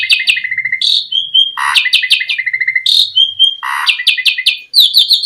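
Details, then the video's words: Asian pied starling song played to lure other starlings into singing: a varied run of clear whistles, sliding notes and harsh chattering bursts, with quick staccato clicks between phrases. "Suara Jalak Suren Memancing Burung Jalak Biar Cepat Full Isian Mewah"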